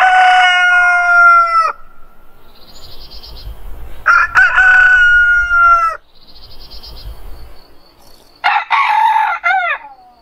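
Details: Repeated morning crowing from a rooster: three full cock-a-doodle-doos spaced a few seconds apart, each loud, held and harmonic with a falling finish. Low background rumble fills the gaps.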